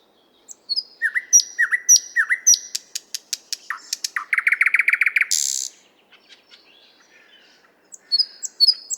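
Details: Nightingale singing in the 50th Anniversary of October park, Moscow: repeated downslurred whistles, a rapid series of dry clicks, then a loud churring rattle and a buzzy burst, silence, and fresh high whistled notes.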